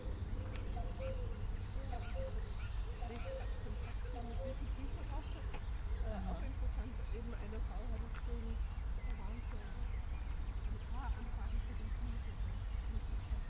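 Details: Common cuckoo (Cuculus canorus), call.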